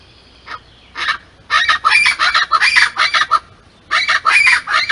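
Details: A pair of scaled chachalacas (Ortalis squamata) at Pontal da Daniela, Florianópolis, Santa Catarina, Brazil, in October 2021, calling together in loud, harsh, raucous bursts of several clucking phrases per second, broken by brief pauses.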